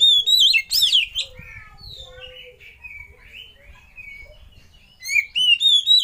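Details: Oriental magpie-robin lure song to get other birds singing: loud, high buzzy and whistled notes open and close the passage, with softer warbled and sliding phrases in between.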